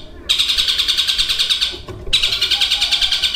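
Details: Long-tailed shrike singing copied calls of other birds, including a lovebird's long chatter; two loud bouts of fast, harsh, pulsing rattle divided by a short pause.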